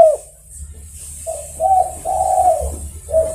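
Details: Spotted dove, the tekukur, calling other birds with soft, low coos: a brief note, a pause, then a longer run of hollow cooing syllables and a final short coo, over faint low background hum.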